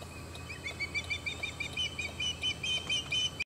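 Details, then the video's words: Nervous osprey calling to its mother, a parent replying faintly: a string of short, thin, high whistled chirps, repeated about twice a second with slight downward inflections, over a low steady background rumble. "Osprey calling to its mom."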